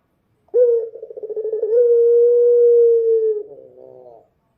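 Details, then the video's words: Dove singing at night: one long, steady, tonal coo that starts with a quick wavering flutter, then holds an even pitch for about three seconds before fading into a short, rough ending. "suara burung puter malam hari//midnight show singing bird dove"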